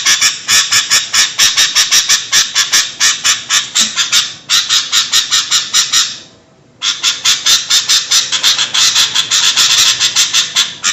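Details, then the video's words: Noisy calling of sooty-headed bulbuls, played to lure birds: long runs of loud, scratchy chattering notes, over two per second, broken by a short silence near the middle. "Suara burung kutilang ribut buat mikat"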